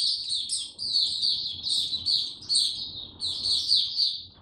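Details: White-eye in a cage, recorded 29 April 2022 without supplements, in a low-energy state: quick series of high, sharp warbled notes in short repeated bursts, with faint background rumble.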